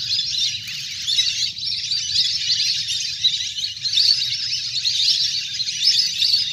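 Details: Wild ducks in a big flock splash and play on the water, recorded as a lure to call birds down. A steady chorus of shrill, twittering whistles overlaps throughout, rising and falling slightly in loudness.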